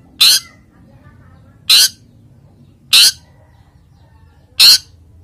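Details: Male long-tailed shrike in breeding condition, a kept cage bird, gives four loud, harsh, rasping bursts spaced about a second and a half apart over a quiet background.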